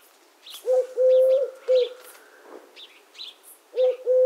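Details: Eurasian collared dove delivering one full three-note coo with a long even middle note, then beginning another; small birds chirp high and briefly throughout.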